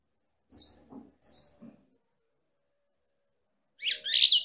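A female European goldfinch gives two quick, high downslurred chirps, pauses, then ends with a brief burst of bright, tinkling twitter.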